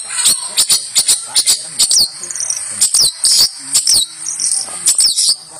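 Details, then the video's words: Champion long-tailed shrike song used as a training model for other birds: sharp, high, scratchy chips and rasping bursts in quick irregular runs, with brief buzzy trills between them, on a faint hissing background. "Masteran Burung Cendet Juara"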